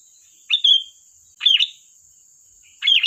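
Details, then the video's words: Three quick bulbul phrases from a sooty-headed bulbul singing 'gacor' style as a lure: a clear whistled note, then two bubbly warbles, with a steady high-pitched hum throughout. "Suara burung Kutilang Gacor || tembakan tajam pas untuk pancingan"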